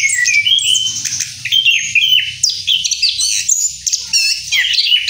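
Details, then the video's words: After moulting, an Orange-headed thrush pours out a rolling song of fast, varied high chirps, trills and slurred whistles, almost unbroken, over a soft low background rumble. "Anis Kembang Ngeroll Setelah Mabung"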